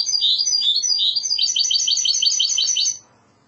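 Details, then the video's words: Spanish goldfinch hybrid's classical Andalusian song: a dense, high, rapid trill of repeated metallic chirps lasting about three seconds before stopping abruptly. "تغريد هجين الحسون الإسباني"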